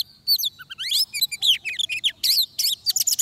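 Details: Oriental magpie-robin in song at a trapping site in Vietnam, opening with a pure falling whistle and then breaking into dense twittering phrases of sharp, high, chopped notes and quick slurs, nearly continuous.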